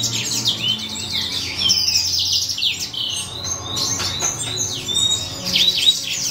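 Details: C. frontalis chick during hand rearing; rapid clusters of high, sharp chirps and short whistled slurs, with a soft electrical-sounding hum in the background.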